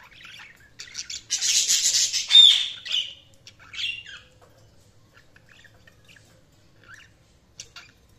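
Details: Budgerigars chirping and squawking indoors: a dense burst of harsh, scratchy chatter over about two seconds, then a few shorter squawks and scattered faint chirps, with quiet gaps toward the end.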